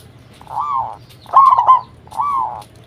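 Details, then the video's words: Zebra dove of a local strain, recorded as a lure call to make other doves respond: three smooth arched cooing notes, the middle one louder and broken into a brief warble. "Perkutut Lokal Gacor RAJA PIKAT Ahlinya Bikin Semua Burung Perkutut Pada Nyaut"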